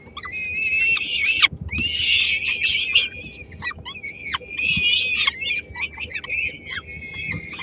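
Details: Peregrine falcon family in Helmond on 13 May 2016, the female sharing a small morsel among three-week-old chicks that snatch it away: repeated hoarse, squealing screeches in overlapping bursts, with slurred descending notes between them.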